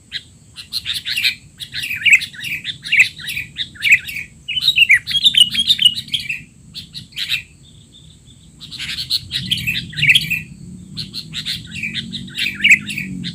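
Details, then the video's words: Sooty-headed bulbul giving noisy 'teler' chatter, used as tutoring for young bulbuls: long stretches of rapid, scratchy chirps and slurred notes, a brief lull near the middle, then chattering resumes, over a steady faint high hum. "burung kutilang teler!! suara ribut paling cocok untuk kutilang bahan"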